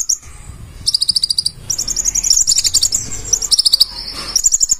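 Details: Konin or purple-throated sunbird in full 'isian' song: high thin whistles lead into a long, fast, buzzy trill that wavers in pitch, over faint low background noise.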